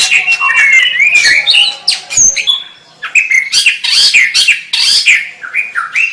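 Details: White-rumped shama song: rich, varied whistled phrases mixed with harsh buzzy notes and quick chattering bursts, with short pauses between phrases.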